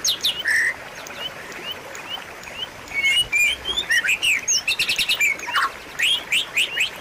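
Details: White-rumped shama song played as a lure and tutor to restart singing in a bird that has gone quiet; a lively run of high whistles, upward flicks and short sharp notes, dense from the third second onward.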